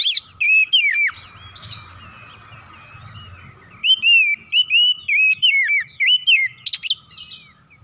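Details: Oriental magpie-robin singing energetically and displaying its varied fill-in repertoire: bursts of loud, clear whistled notes, some sliding down and some rising, strung into quick phrases after a short pause, with a few harsher chattering notes between them.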